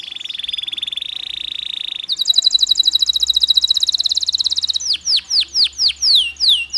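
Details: Canary song used to stir stressed canaries into singing: a steady, buzzy high roll, then a faster rattling tour, then a slower series of loud, sharply falling whistled notes.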